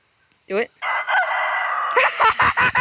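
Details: Unusual crow of a young black rooster: a short yelp, then a long, harsh, buzzy, level cry breaking into several choppy bursts at the end, preceded by a person's encouraging words.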